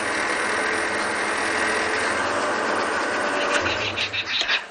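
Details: Loud broadband vehicle noise roars throughout a sunset safari drive, with a few rattling bursts near the end and no animal calls.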